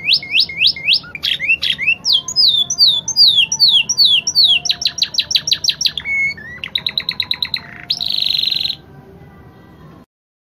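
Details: Caged canary singing a long, varied tutor song used to train other canaries: fast rolled trills, slurred whistled notes, rising and falling sweeps, a buzzy high passage near the end, then silence.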